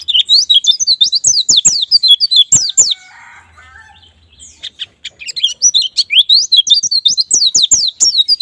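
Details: White-eye lure song meant to get birds singing quickly in ngalas and nembak styles: rapid high twittering made of steeply falling notes, broken by a brief quieter lower rasp midway, then resuming in dense continuous bursts.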